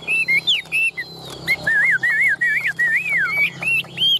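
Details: Chinese hwamei, kept caged and tame with its tail spread, sings rich warbled whistles, a series of looping rising-and-falling notes repeated about three times a second.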